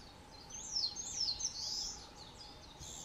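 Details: Narcissus flycatcher singing in spring on Mount Rokko, Hyogo, Japan, 21 May 2020. A high, rapid run of slurred whistles swoops up and down, loudest in the middle, over a steady low hum.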